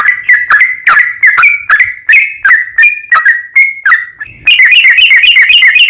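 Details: Sooty-headed bulbul in the rapid 'ropel panjang' singing style, played as a lure. Fluty notes come about three per second, then end in a dense, high, twittering run.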